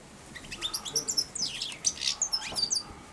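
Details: Four-month-old caged European goldfinch, fed daily from the hand, giving early subsong beside and on the hand: a rapid high twittering of thin, sliding, scratchy notes in a quick jumble.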